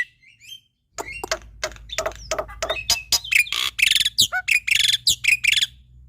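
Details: Varied song of a male Javan pied starling, used to prompt lazy or young starlings to sing: after a few soft notes and a short silence, rapid sharp clicks and chirps build into loud, buzzy, rhythmic phrases over a low steady hum.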